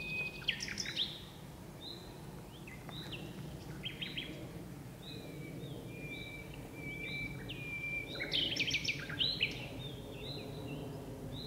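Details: Common nightingale in birch bushes at dusk, two birds singing: varied phrases of whistles, sliding notes and harsh bursts, a drawn-out whistle midway, then a louder chattering flourish near the end, over low background rumble.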